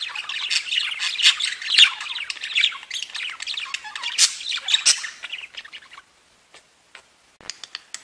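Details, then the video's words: Group of singing budgerigars: an unbroken stream of rapid chirps, squeaks and gurgling warble for about five seconds, then thinning to scattered soft clicks and ticks. "Веселое пение волнистых попугайчиков / Funny singing of wavy parrots"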